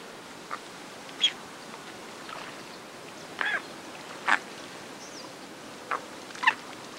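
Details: At Lago San Pablo, Otavalo, in Ecuador's Imbabura highlands, an Andean coot gives short, sharp, clipped calls spaced irregularly a second or more apart, some doubled, over a constant wash of lake ambience.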